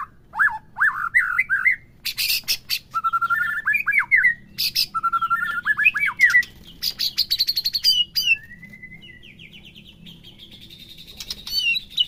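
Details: White-rumped shama song, played in the morning and midday to provoke a captive bird into singing: varied loud whistled phrases, rapid rising trills and harsh buzzy bursts, ending in a long rising whistled series.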